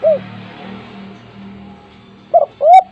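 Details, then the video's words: A spotted dove in full voice, used as a lure for untrained doves, gives a single mellow coo, then after a low humming pause two more coos rise near the end. "tekukur gacor suara besar untuk pancingan tekukur bahan"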